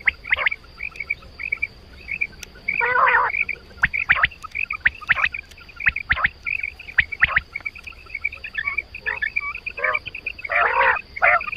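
Quail calling in quick runs of short, bright chirping notes, with several louder harsh bursts and faint background noise.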